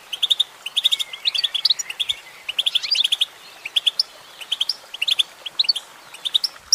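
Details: Female goldfinch singing: bright, high twittering made of short chirps in quick clusters of three to five, spaced by brief pauses, with a few thin sliding whistles woven between.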